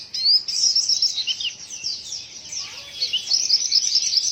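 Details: Odd-sounding white-eye call: shrill, fast twittering at high pitch, a bright rising whistle opening, a dip in loudness mid-clip, then dense chittering resumes toward the end.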